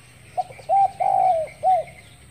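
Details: Spotted dove giving its morning call: a soft pip, a clipped coo, an extended coo that droops at the end, and a final short curved coo, set against constant faint hiss.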